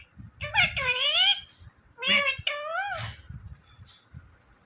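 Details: Talking Indian ringneck parrot saying "Mithu Mithu": clear nasal, harmonic, human-like syllables in two phrases with bending pitch contours, followed by a faint short note, in a quiet indoor room.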